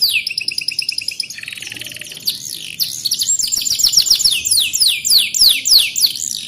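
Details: Canary song patterned on a mountain ciblek tutor. A dense buzzy trill drops lower, then a rapid cascade of shrill, down-sweeping whistled notes follows, loud and continuous.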